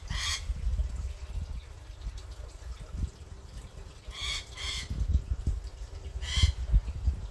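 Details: Rainbow lorikeet, a single bird visiting an Australian garden daily, curious beside a garden fish tank; three short harsh broadband screeches near the start, middle and end, over steady low rumbling water and garden noise.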